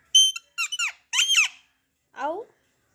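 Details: Pet parrot chirping indoors: four bright, sharply bending chirps with ringing overtones, the first a steady high note, then quick downward-sweeping bursts, and a final lower descending chirp after a short pause. No other sounds.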